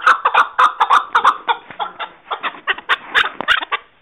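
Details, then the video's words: Chukar partridge (chakor) recorded in 2021 giving loud, harsh chuck notes in quick, uneven bursts of two to four, with a slightly laughing, cackling rhythm and no other clear sounds. "Chakor Videos For You"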